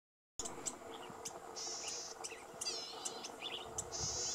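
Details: A male Red-backed fairywren (Malurus melanocephalus), moulting from breeding into eclipse plumage, gives very high, thin reeling trills mixed with sharp chips and quick down-slurred notes, over a faint background hum.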